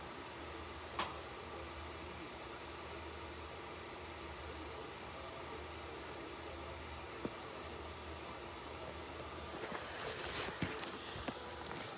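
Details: A steady low mechanical hum fills the background, broken by a few faint clicks. Some rustling and handling noise rises near the end, and no animal voice can be picked out.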